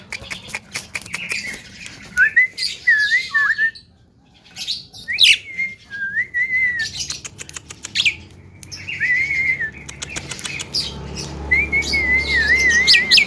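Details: Young Javan myna singing a varied full isian song: wavering whistled phrases that rise and dip, broken by a short silence, mixed with clicks and scratchy noises, and a low rumble at the end.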